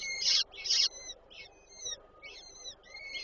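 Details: Peregrine falcon female feeding chicks at a nest in Warszawa Żerań, Poland, 8 May 2023: two loud harsh screeches in quick succession, then fainter thin, drawn-out whining notes.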